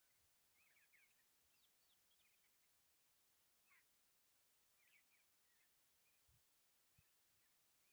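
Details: Jungle babbler calling in short, harsh, chattering bursts of quick notes, spaced irregularly over several seconds, set against a steady background hiss with a few soft low thumps.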